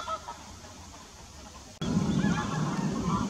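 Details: Wild goose flock on Eccup Reservoir north of Leeds: brief honking calls in the first moments, then a loud low rumble of many birds with scattered nasal honks over constant water and wind noise.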